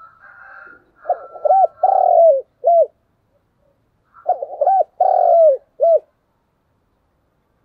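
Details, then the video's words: Spotted dove coos in the 'thúc gù' dueling style, two matching phrases about three seconds apart, each with a burbled start, a looped hoot, a long trembling descending coo and a short end note. A faint steady hum is heard at the start. "cu gáy thúc gù// Cu gù đấu sung nhất"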